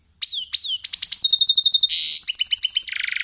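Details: Goldfinch × canary hybrid (mixto) kept as a cage bird, singing a copied song: two downward-swooping whistles, then rapid repeated chips, a buzzy note and a brisk trill.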